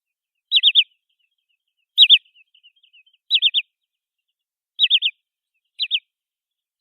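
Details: Wood sandpiper, Tringa glareola, giving sharp, high whistled notes in quick triplets, 'fi-fi-fi', separated by pauses of about a second, with a single two-note burst near the end, on a silent background.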